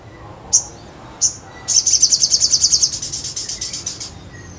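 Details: Crescent-chested babbler singing vigorously: two separate high sharp notes, then a long, fast, high trill that slowly fades over about two and a half seconds in a quiet setting.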